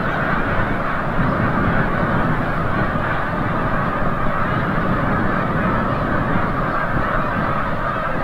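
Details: Snow geese flying back from the bay at sunset, Forsythe National Wildlife Refuge in Oceanville, New Jersey, USA; countless honking voices merge into a steady, roaring wall of calls with no pauses.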